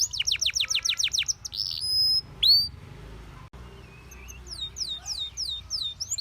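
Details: Canary song for training canaries: a short series of rapid falling notes, a held pure whistle, a rising slur, then quieter distant sweeping notes toward the end.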